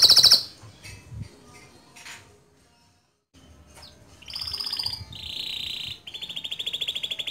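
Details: Male canary song meant to tutor young canaries: a loud opening burst, faint scattered notes and a short silence, then steady buzzy trills at changing pitches.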